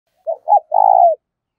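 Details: Decoy spotted dove with a voice of the thổ đồng style gives one coo phrase: two short low hoots, then a longer, throbbing, level coo that drops at the end. No other sounds.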